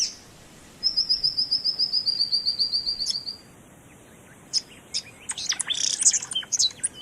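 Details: Male white-throated grasswren (Amytornis woodwardi) in Kakadu National Park, Australia, giving his territorial advertisement call, audible nearly a kilometre away: a fast run of about twenty thin, very high, evenly spaced, slowly falling notes, then scattered sharp high chirps.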